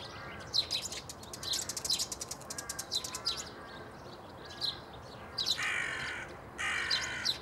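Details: Eurasian tree sparrow recorded on 9 March 2015 at Bundek in Zagreb, Croatia: bright, sharp chirps in quick irregular bursts, some rapidly repeated, with two broad rustling noise bursts near the end.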